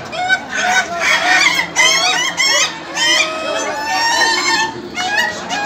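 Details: Contest laughing chickens (ayam ketawa) giving a long laughing crow: bursts of quick, chattering harmonic notes, some sliding upward, separated by short pauses, amid background chatter.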